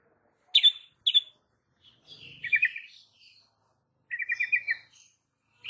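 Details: Lure song of the white-rumped shama for drawing out young and wild fighter birds: scattered sharp high chips and short rattling, stuttered phrases with silent gaps.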